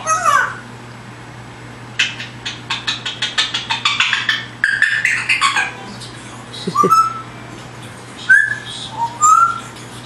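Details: A pet parrot practising sounds, having just begun copying the wild birds she sees outside: a run of rapid harsh rasping notes, then several clear whistles that slur upward and level off, indoors with a steady low hum.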